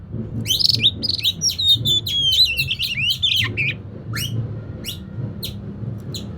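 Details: Oriental magpie-robin lure song to get an idle bird singing: a rich burst of chirps and a long warbled, wavering whistle, followed by spaced sharp downslurred notes, over a low hum.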